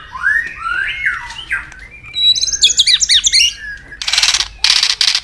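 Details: White-rumped shama in provoked competitive song: swooping whistles, a fast run of looping twittered notes, then two loud harsh noisy bursts.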